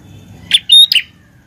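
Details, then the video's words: Prinia, a grey-plumaged form known locally, gives a single bright phrase while singing actively: a scratchy high note, a sustained pure whistle and a final harsh chip, crisp and close over soft low rumble. "Prenjak Klawu Gacor"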